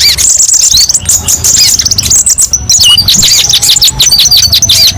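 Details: Busy high-pitched twittering from a kolibri ninja sunbird used as tutor song, rapid trills broken by a short pause, then sharp rising chirps.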